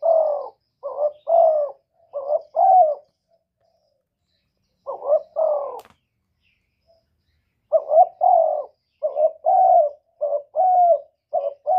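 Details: Spotted dove calling 'một hậu ròng' style: three bursts of paired, throaty coos with a mid-clip pause, the later run longer with closely spaced notes; background otherwise silent apart from one faint click.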